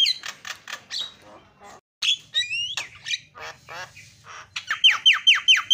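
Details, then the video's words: Javan myna calls to provoke other mynas: rasping squawks and chatters, then rising whistled notes, ending in a fast run of sharp descending whistled chips about three per second. "GAK PERLU LAMA BIKIN JALAK KEBO JADI TERIAK"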